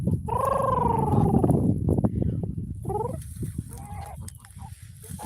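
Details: A pet domestic goose gives a drawn-out, reedy tonal note that rises and falls, then a few shorter soft calls, a contented cuddling sound typical of tired goslings; handling noise rumbles low.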